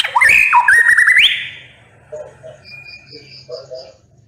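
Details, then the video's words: White-rumped shama (murai batu) singing in the sharp 'nembak' style: a loud whistled phrase with a stepped, wavering mid-pitched run lasting about a second, then soft scattered lower notes and faint high whistles. "MURAI BATU NEMBAK PEDES"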